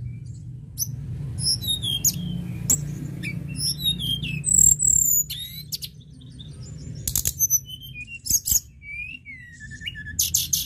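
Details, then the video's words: Lark (tledekan gunung), played to spur other larks into song, delivers a busy run of very high chirps, squeaky slurred notes and quick trills with irregular bursts and gaps, over a constant low hum. "Tledekan gunung gacor"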